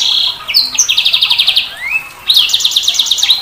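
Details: Sanger bird: rapid pulsed buzzy trills, a rising whistled slide, then another fast trill series, all high-pitched and loud.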